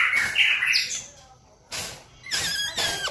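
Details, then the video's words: White-rumped shama song as a lure to provoke song: a loud warbled phrase, a pause, then noisy bursts and thin descending whistles. "pancingan MURAI BATU agar GACOR dan LANGSUNG EMOSI bongkar isian"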